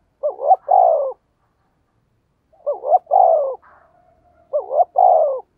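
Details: Spotted dove cooing to draw in wild birds: three phrases, each a quick two-note warble then a drawn-out, slightly falling coo. A faint thin whistle sounds between the second and third phrases.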